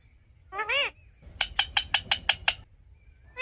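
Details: A talking parrot produces natural sounds: one drawn-out harsh squawk, then a rapid run of seven sharp, clipped, evenly spaced notes, with a quiet background.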